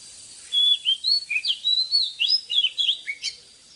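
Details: Oriental magpie-robin singing at dawn for caged-bird training. About three seconds of rich, rapid whistling made of slurred notes that climb and fall, ending in a sharp upward flourish.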